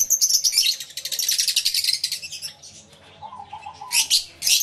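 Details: Lovebirds in a busy aviary, recorded with a camera and two external microphones, give an opening run of fast, shrill, pulsing chatter, then a brief low warbled phrase and two final sharp bursts of squeaks.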